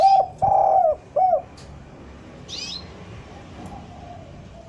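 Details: Spotted dove singing, played as a lure so doves will come down: a clipped coo, a long steady note falling at its end and a short falling coo, followed by quiet with a faint high bird chirp.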